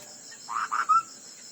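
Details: Chinese hwamei giving fighting song in a contest: a short phrase of two rough, buzzy notes followed by a clear rising whistle, with a steady high hiss behind.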